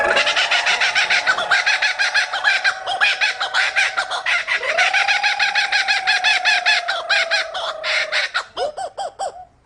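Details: Captive male kookaburra calling after people loudly roll their Rs to prompt him: a long, loud cackling laugh of rapid rhythmic notes that speed up and slow down, ending in a few sharp rising hoots.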